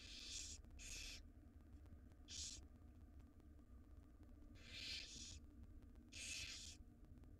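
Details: Wild barn owl nestlings in a monitored nest box hiss and screech while their mother feeds them a jird, a gerbil-like rodent; harsh broadband bursts of about half a second come in an uneven series over a low electrical hum.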